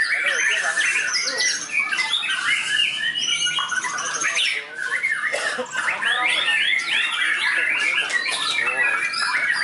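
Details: Contest-trained white-rumped shama on the field, pouring out a loud, unbroken medley of rich fill-ins: quick whistled slurs, rattles and sharp chirps overlapping, with a brief dip in volume midway.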